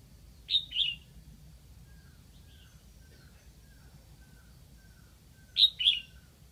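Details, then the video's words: Lạng Sơn decoy red-whiskered bulbul singing to attract wild birds, repeating a paired whistled phrase of two sharp notes about five seconds apart, with faint distant chirps between. "Mào mồi gáy kiểu này liệu có gọi được bổi không đây?"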